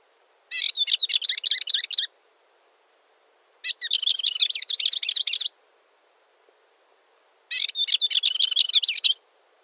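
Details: Balearic warbler singing three scratchy, rapid chattering phrases of about one and a half seconds each, separated by pauses of roughly two seconds. Notes are high and jumbled. Background is otherwise quiet.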